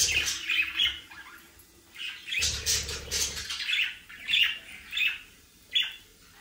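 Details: Budgerigar chatter with rapid squeaky chirps and short squawks in uneven bursts, several birds overlapping, plus a low rumbling noise in the middle, calls thinning out toward the end.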